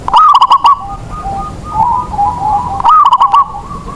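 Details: Local zebra dove used to spur other doves into song; two loud stuttered cooing phrases of quick pulsed notes, separated by quieter cooing from other doves.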